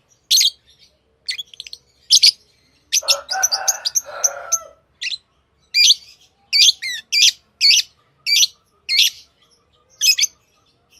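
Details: Lovebirds chirping: sharp, high, buzzy chirps repeated in quick bursts, some with rapid up-down warbles, plus a brief lower chattering murmur in the middle.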